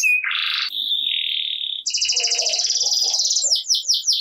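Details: 'Gacor' canary singing as a lure for quiet canaries: a low buzzy trill, a long even whistle, then an extended high rattling roll that breaks into several quick downslurred notes.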